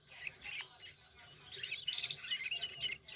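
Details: Hand-fed long-tailed shrike chicks from Banyuwangi jostle for food, giving harsh, hissing squawks in rapid ragged bursts, faint at first and then louder and denser through the second half.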